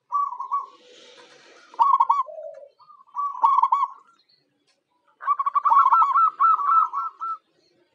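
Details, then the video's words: Local zebra dove singing to lure wild birds: clipped, warbling coos in short bursts, then a longer rapid run of stuttering, rolling notes lasting about two seconds before a clean stop. "Suara Perkutut Lokal Jagoannya Pancingan"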